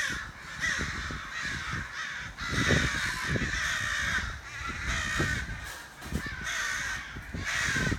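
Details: Crows outside a back door give harsh, grating caws in quick succession, with low thumps and rumbling underneath.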